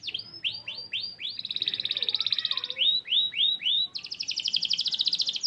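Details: Canary in full song, a lure meant to draw replies from other canaries: repeated rising-falling chirps in groups of three or four, broken by buzzy rapid rolls, all high and clear.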